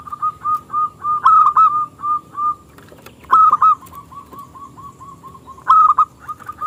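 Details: Singing local zebra dove, prized for a small crystal voice and used to entice rival doves to sing, repeats short coos in series broken by three loud, stuttering emphatic phrases.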